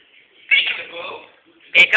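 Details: Pet Quaker parrot, a male about one and a half years old, saying peekaboo indoors: a harsh, raspy two-part utterance near the middle, then a louder clipped burst at the end, with a faint steady tone throughout.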